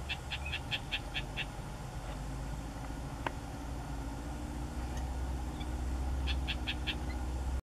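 Isabelline shrike: two quick bursts of short, dry, chattering notes, about six and then five in a row, over a steady low rumble of wind or traffic.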